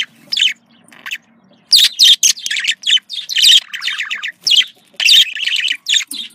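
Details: Pet budgerigars with sounds meant to bring birds into breeding condition; a quiet start, then busy buzzy warbling and squeaky chirps in quick bursts, faint low hum beneath.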